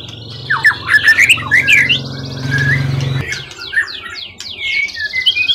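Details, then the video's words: Forest-caught contest bird, tail above 20 cm, long-kept and not skittish, in full song: loud swooping whistles and chirps rising and falling, then fainter scattered notes and a buzzy high trill, over a steady low droning hum. "Burung event ori hutan ekor 20cm up lg on banget prestasi burung hutan gk giras ya rawatan lama."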